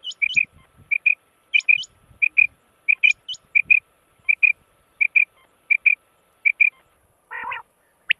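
Rain quail giving sharp, metallic paired notes, 'which-which', repeated about every half second, with thin higher squeaks between and a brief rasp near the end.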